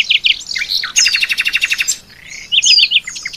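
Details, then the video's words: Brief loud burst from an Oriental white-eye training song holding mimicked starling, canary and rambatan phrases: quick twittering slurs, a rapid metallic rattle, a pause, then four clipped whistled notes. "Masteran Keras!!! Pleci bikin Isian Jalak Suren,kenari,kapastembak,rambatan doraemon"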